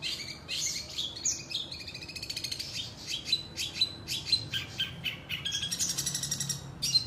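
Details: Long-tailed shrike singing in the tembakan rajagetar style with sambung pelatuk phrases: dense, high chirps and sharp notes in quick succession, broken by fast buzzy rattling trills. A faint low hum runs underneath.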